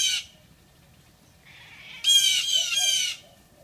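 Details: A Blue Jay yelling at a Siamese cat gives a brief harsh squawk, then after a pause a longer grating, nasal scream lasting about a second.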